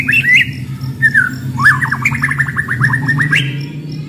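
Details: White-rumped shama decoy bird gives short whistled phrases, then a rapid series of repeated slurred notes, over a steady low humming background noise.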